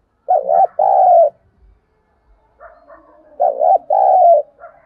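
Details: Lure spotted dove cooing to excite wild birds: two identical phrases, each a quick quavering coo followed by a longer smooth one, about three seconds apart.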